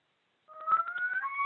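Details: A male Common Loon in the Adirondacks gives a yodel, an agitated alarm and distress call: a loud, wailing note that climbs steadily, then steps up to a higher held note, rough and pulsing.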